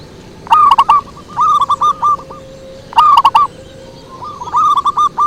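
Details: Zebra dove lure song (pikat): loud rolling cooed phrases at about 0.5 s and 3 s, each trailing into softer repeated coo notes, with quieter answering phrases between and a faint steady tone behind.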